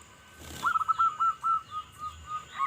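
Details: Local zebra dove, loud-voiced and singing actively, recorded to lure other zebra doves: a short run of quick, staccato mid-pitched coos that starts after a brief rustle and repeats in an even, bubbling series, fading toward the end.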